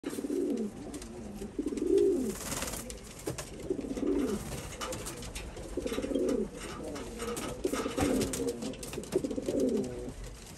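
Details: Pigeons mating, giving low, rolling coos in roughly two-second phrases repeated five times, with a throaty rising and falling swell, in a small indoor room with faint clicks and scuffling.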